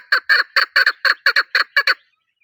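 A chukar gives a rapid series of harsh, clucking chuk notes, mostly in doubled bursts, about five pairs in two seconds, with no other sounds.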